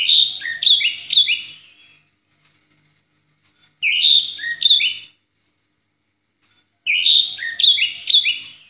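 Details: Orange-headed thrush delivering ngeplong song for songbird training: three bursts of rich, rapid whistled notes with sharp downward slurs, each burst about one to two seconds, separated by longer silences.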